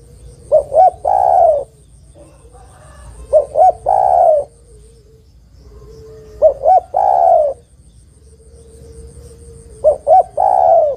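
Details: Spotted dove female calling to the male: four regular phrases of two clipped coos and a drawn-out falling coo, about every three seconds, with a faint lower humming tone between phrases.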